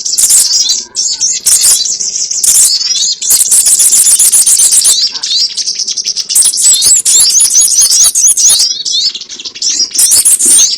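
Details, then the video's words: Sogon calls used as a lure for bird trapping: dense, very high-pitched twittering and sharp chirps in rapid bursts, broken by short pauses near one, three and six seconds, with a faint low hum underneath. "SUARA PIKAT BURUNG SOGON ONTONG"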